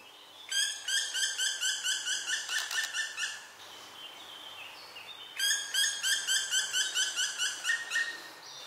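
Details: A young black woodpecker still in the nest after its siblings have fledged. The mother no longer feeds it, and it screams for food. Two bursts of rapid, harsh, harmonic notes, about two per second, separated by a short pause.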